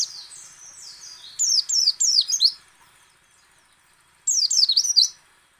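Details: White-eye delivering loud, fast strings of high swooping, warbled notes in two bursts separated by a lull, with quieter twitters at the start; used to stimulate other white-eyes to sing.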